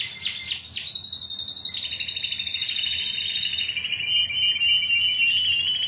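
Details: Greek Timbrado canary, 2009, opening with a few sharp quick notes before settling into a long, ringing, water-like rolling trill that shifts gradually lower, with brief clipped high notes above it near the end.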